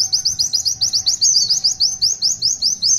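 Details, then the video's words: Steady, high-pitched tulitwitwit phrase from an Oriental white-eye (pleci), around seventeen crisp rising chirps repeated evenly over three seconds without a break. "Tulitwitwit panjang pleci Gacor"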